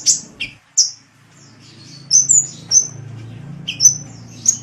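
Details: Indonesian masteran recording of a sunbird: sharp, very high chips and short whistled slurs, some paired with a lower note, spaced irregularly with faint low hum beneath.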